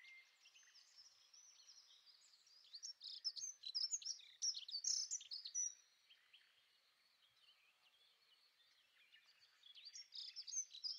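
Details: Fast, thin warbled phrases from a dunnock, a tumbling jingle of high notes in the middle, quiet for a few seconds, then a further burst at the close.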